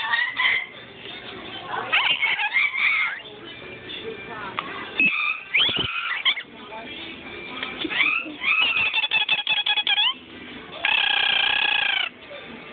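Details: Pet rainbow lorikeet indoors in a store, imitating speech with "here kitty kitty" and then a cat's purr; chattering talk-like phrases, rapid stuttering notes, then a long steady buzzy purr, with another parrot talking in the background.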